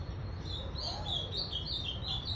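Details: Ultramarine grosbeak, a bare-throated azulão recorded on January 3, 2021, giving a continuous run of high, wavering warbled phrases over a low steady rumble.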